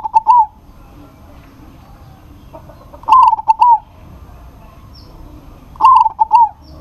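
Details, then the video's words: Local zebra dove singing in challenge to a rival that answers: three trilled stuttering coo phrases roughly every three seconds, each ending in a rolling warble, with faint other bird notes between. "PERKUTUT LOKAL GACOR MEMANGGIL LAWAN PASTI NYAUT"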